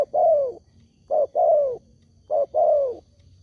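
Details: Spotted dove call played to make other doves answer: three paired phrases, each a brief coo then a drawn-out descending croo, spaced just over a second apart.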